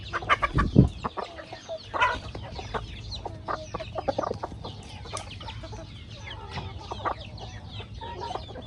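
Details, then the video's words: A flock of chickens eating corn feed on a backyard farm: a loud low thump and cluck near the start, then scattered short clucks and faint chirps over a low farmyard rumble. "Chickens Feeding on Corn"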